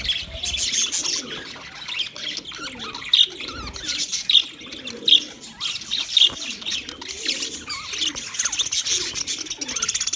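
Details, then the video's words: Budgerigars twitter continuously in a busy flock, with several sharp, louder chirps standing out about once a second in the middle and quieter low warbles below. Intended for a lonely pet bird. "Budgies chirping sounds for lonely bird"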